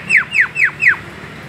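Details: Javan myna, white-eyed form, calling as a lure for other birds: four evenly spaced, harsh, downward-sweeping squawks.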